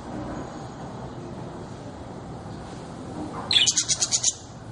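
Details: Budgerigar kept as a pet bird: after a few quiet seconds, a quick burst of about six high, sharp chirps in rapid succession, each short and clipped.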